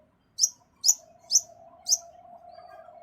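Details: Long-tailed shrike, a songbird kept by hobbyists, giving four sharp, very high piercing notes about half a second apart, with a faint steady hum behind them.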